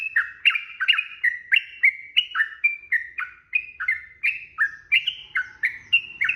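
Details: Sooty-headed bulbul in long, rapid fighting song used to provoke a rival into answering: dense run of short bubbly whistled notes, each sliding down, about three per second, clean with no other sounds.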